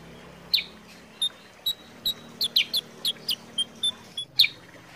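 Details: Sooty-headed bulbul, known locally as kutilang sutra, recorded to prompt and tutor birds to sing: sharp high chirps spaced about every half second, with a louder note near the end over a faint low hum.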